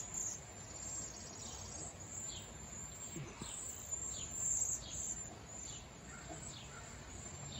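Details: Wild cedar waxwing flock chirping and whistling: thin, very high whistled notes held almost without pause, with short downslurred chirps about every half second, set over a steady low rumble of background noise.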